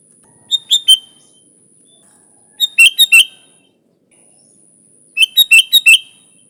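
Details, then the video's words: Song of a sooty-headed bulbul, used to lure other bulbuls: three phrases of three to four sharp, bubbly whistled notes, spaced about two seconds apart, with a faint steady high tone in the background. "Suara Burung Kutilang Gacor ASLI Tanpa isian, Ampuh untuk Pikat bikin kutilang Ribut gacor"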